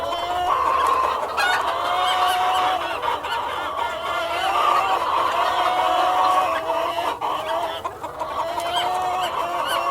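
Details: Cockerel and hens in a farm flock, a dense overlapping chorus of clucks and drawn-out nasal calls that continues without a break for about ten seconds.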